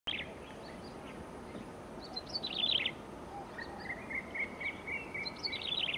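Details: Yellow-bellied Prinia in April 2019 giving high, thin chirping bursts, then a long buzzy trill held at one pitch, over steady outdoor hiss.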